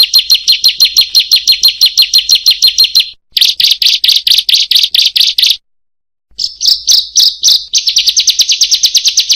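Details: Bar-winged prinia (ciblek/prenjak) song used as a training recording to prompt lazy cage birds to sing: fast series of sharp, clicking chirps, about six per second, in bursts separated by brief silent gaps, with the final bursts pitched higher.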